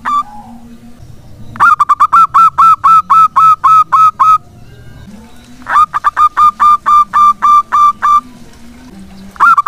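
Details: Local zebra dove singing actively, used to prompt other doves; two bursts of quick, bright staccato coo notes, each run of around ten notes, with a low steady humming tone between runs.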